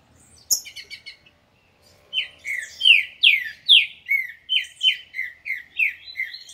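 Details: A green-winged saltator sings loudly, giving about ten rich, down-slurred whistles at a quick pace, two per second, after a few thin opening chips.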